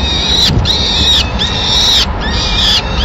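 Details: Peregrine falcon family in Madrid, 25 April 2016, during feeding: the female delivers a pigeon and feeds the chicks. Loud, drawn-out, screechy calls, each about half a second to a second long, arching slightly and repeated roughly once per second.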